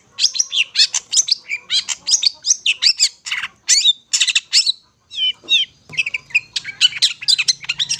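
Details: Long-tailed shrike in full song, meant for luring: a long stream of rapid harsh chattering and scratchy notes mixed with slurred whistles and mimic-like phrases, with a brief pause midway.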